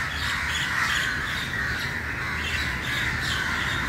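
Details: Crowd of crows gathered at dawn, many birds cawing at once so the harsh calls run together without pause, over a low rumbling background.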